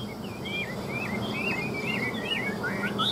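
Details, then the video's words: Chinese hwamei sings a fast series of wavy, looping whistles at mid-high pitch, ending with a rising note, over a low rumble like traffic. "Hoa mi hót giọng hay"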